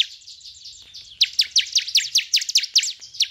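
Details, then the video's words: Bar-winged prinia song for stimulating caged birds: a soft high trill opening, then loud, crisp downslurred chips repeated quickly, around two or three per second. "suara perangsang ciblek agar cepat bunyi"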